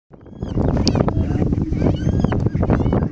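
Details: Several Greater Prairie-Chickens at a courtship dance on the morning of 4-11-16 give low, dense moaning hoots overlapped by sharp cackles and whoops.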